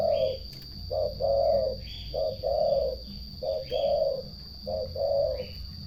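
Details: Turtle dove song of soft, throaty purrs in paired phrases, each a brief trill then a longer rolling one, five pairs at steady intervals, while a small bird adds thin high chirps between them.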